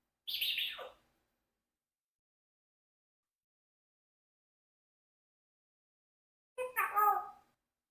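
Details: Congo African grey parrot, a 4-year-old adopted pet kept with a flock of parrots, giving a spoken greeting: a short descending vocal phrase, a long silence, then a second brief voiced burst with clear harmonics.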